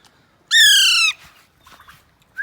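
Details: Alexandrine parakeet, a pet green ringneck-type parrot playing with a mobile phone, gives one loud harsh squawk lasting about half a second, slightly falling, then soft faint chatter and a short whistle-like note at the end.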